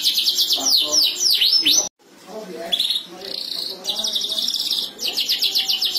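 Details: Canaries singing and answering each other in energetic gacor style: quick high sweeping whistles, an abrupt break of silence, then low warbles, a steady buzzy roll and fast pulsed trills.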